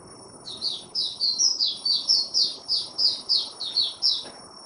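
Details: White-eye singing a continuous chain of high, sliding chirps roughly four per second, with a steady electrical hum and low background noise.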